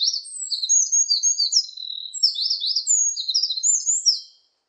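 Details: Song of a Eurasian wren: a rushing stream of very high whistles, sharp chips and quick up-down trilled phrases lasting about four seconds, then ending abruptly in silence.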